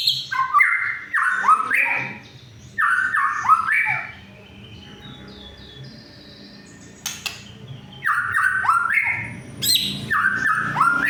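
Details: Vigorous white-rumped shama song for provoking silent rivals: groups of rich whistled notes stepping downward, a quieter stretch in the middle, then renewed loud whistled phrases, faint hum in the background.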